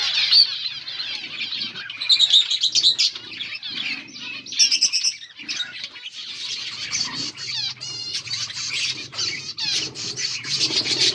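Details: A group of finches eating green food on August 17, 2024, keeping up continuous high twittering, with loud sharp chirp bursts early on, then a steadier chatter over faint low humming.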